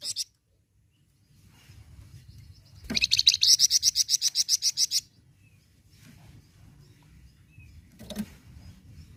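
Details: Flamboyan bird in captivity. Brief high notes open, then a fast rattling series of about fifteen shrill, evenly spaced notes lasts two seconds. An isolated chirp comes later over low background noise.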